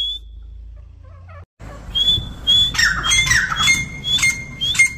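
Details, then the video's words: Partridge heard after a short sharp cut: a lone high whistled note, a brief silence, then repeated rasping squawks and thin whistles about twice a second, over rumbling low background noise. "Partridge sound"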